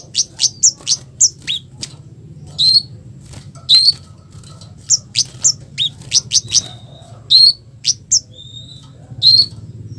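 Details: Harsh provoking call of a red-capped flowerpecker, used to make other flowerpeckers answer: very high, thin ticks and short downslurred chips in loose clusters, with occasional buzzy squeaks.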